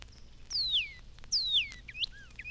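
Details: Northern Cardinal in a 1954 Cornell recording made on a morning bird walk. Two long, clear whistles slide steeply from high to low pitch, followed by short rising chips.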